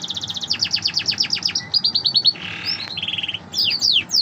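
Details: Song of a canary, a pet songbird, mixing rapid descending chirp rolls, a short pulsed trill, a buzzy rasp and a series of quick high swept notes.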